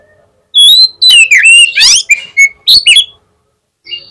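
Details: Loud oriental magpie-robin song used to provoke a rival into answering: a rapid string of clear whistles, falling slurs and dense rising trills over about two and a half seconds, then a brief soft note after a pause.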